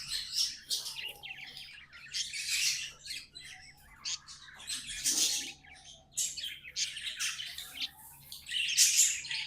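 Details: Budgies kept as pets singing in uneven bursts of rapid, scratchy high chatter and squeaks, loud phrases alternating with quieter gaps every second or two.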